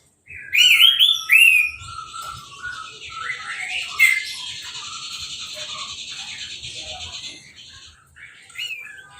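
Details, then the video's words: Orange-headed thrush kept in a cage, singing uncovered after its moult while being bathed with a hose: two bright looping whistles open, followed by a steady hissing spray of water under scattered softer notes. "Anis Merah Sehabis Mabung Mandinya Disemprot Selang , Gak Pakai Kerodong , Bisa Langsung Berbunyi"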